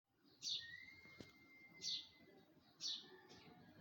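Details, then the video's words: Birds singing in a tree in the morning: short bright chirps repeated about every one and a half seconds, with a thin steady whistle drawn out in between and a faint click. "bird are singing on tree at morning"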